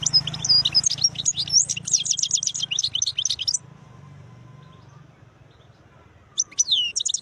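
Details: European goldfinch of khlawi style pouring out beautiful notes: a lively three-and-a-half-second stream of high, buzzy, rattling twitters, then quiet, then another bright twittering phrase starting up.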